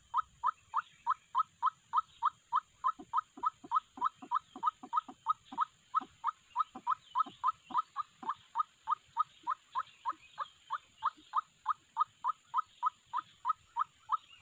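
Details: Lure call of a white-breasted waterhen for bird trapping: a long, unbroken chain of about forty-five identical clipped croaks, roughly three each second, with fainter lower notes echoing beneath.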